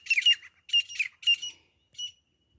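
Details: Grey partridge, or Grey francolin, recorded for hunting: three rough, chattering bursts in quick succession, then a fainter single note after a short gap.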